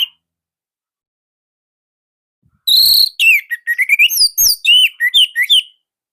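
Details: Orange-headed thrush from Indonesia singing in a tight, loud style kept by songbird hobbyists. After near silence, a three-second burst of rapid, varied whistled phrases: sharp rising and falling slurs and chips, densely packed, with no other sounds.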